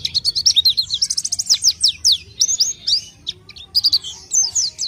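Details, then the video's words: Orange-headed thrush in full song: a fast, varied stream of high, sweet whistles, quick trills and sharply down-slurred notes, delivered almost without a break, with one short pause near the middle; no other clear sounds. "kicau main burung pelci"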